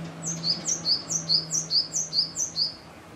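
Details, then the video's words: Male great tit sings forcefully right above its nest box in a home garden in Yokohama, 5 April 2013, before sunrise around 4:50 a.m., early in egg-laying or incubation, defending territory: a bright two-note phrase, high then lower, repeated quickly about seven times over a faint low hum. "シジュウカラgreat tit 囀り song"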